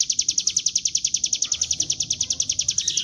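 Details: Lure song of a Bar-winged prinia, in the continuous ngebren style, used to coax wild birds into singing. Quick high notes follow one another in an unbroken, steady rattling stream.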